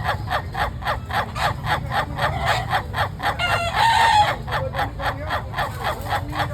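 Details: Long-duration crow of a laughing chicken (ayam ketawa): rapid staccato laughing notes repeated about four times a second, swelling into a denser, louder stretch before settling back into the even pulsing rhythm over low rumbling background.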